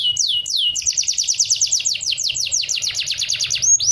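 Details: Canary song played so other birds imitate it: loud rapid series of high descending whistled notes, a few slow sweeping notes then fast repeated trills throughout, ending with a rising upsweep; faint low hum beneath.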